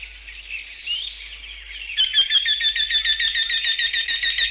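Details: Eurasian Wryneck in display, Central Russia: a fast series of ringing, nasal, evenly repeated notes, several per second, at steady pitch. It starts abruptly after softer warbling from another bird.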